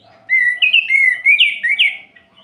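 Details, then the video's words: Night song of an orange-headed thrush, used to provoke other males and bring them into breeding form. A bright, varied run of whistled notes that step up and down, with a few higher upslurred notes near the end. "Suara Ini Bikin Gerah Anis Merah Lain"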